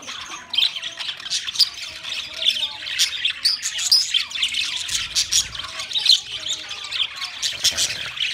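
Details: A lively group of budgerigars, 13 March 2024, pours out continuous high chirping and scratchy warbling in fast, uneven bursts.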